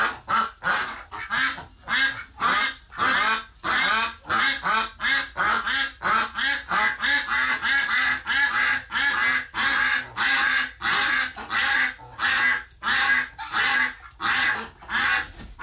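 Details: Ducks reacting to the loss of a flock mate that died in the hospital, recorded November 30, 2018: a long, persistent series of rasping quacks, roughly one and a half per second, keeping a fairly even rhythm throughout.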